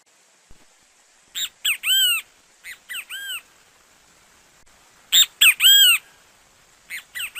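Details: Singing great kiskadee from Brazil repeating its three-part phrase several times, each with two quick clipped notes and then a longer arching note, phrases separated by pauses of a few seconds, with no other sounds.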